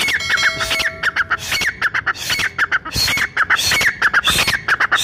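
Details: Brown francolin voice said to gather all the francolins of the forest, a call for hunters: sharp clipped notes in fast repeated runs, each slurring downward, broken by rough broadband squawks and clicks.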